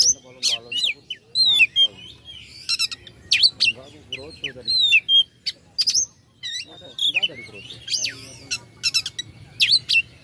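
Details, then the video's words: Oriental magpie-robin song meant to provoke rival birds into singing: a varied stream of loud whistles, sweeping slurred notes and harsh buzzy bursts, delivered in quick phrases with short pauses. "pancingan kacer agar respo gacor.. kacer ini mampu meningkatkan emosi lawan"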